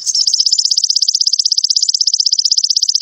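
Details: Sogon trotol sunbird recorded to train caged birds and boost their emotion: an unbroken, loud, very high buzzy trill of fast even pulses lasting three seconds.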